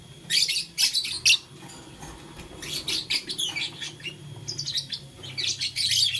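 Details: Lovebirds, blue lutino and green, chirping while playing with a flower in the morning: bursts of sharp, high, scratchy chirps in quick irregular clusters, with a faint low hum beneath.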